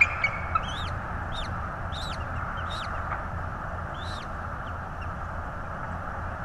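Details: Bald eagle nest in Florida, January 2022, with a second chick newly hatched; thin upslurred squeaky notes repeated about twice a second, fairly faint over a steady low hum.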